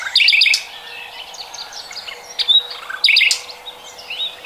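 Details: Common nightingale singing in 2020: loud bursts of rapid, buzzy chirps opening each phrase, followed by softer scattered whistles, the pattern returning after about three seconds; a faint steady low hum runs underneath.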